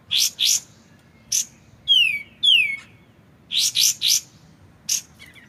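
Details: Clean recording of a white-shouldered triller alternating harsh buzzy notes with two long descending slurred whistles, then a further set of three rasping notes and a single buzz, with soft trickling water behind.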